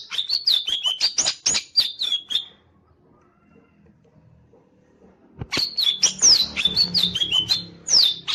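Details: Green leafbird, tail fanning, bursts into quick chips and bright falling whistles for two and a half seconds. After a near-silent gap it resumes with a fast string of whistled slurs and buzzy notes.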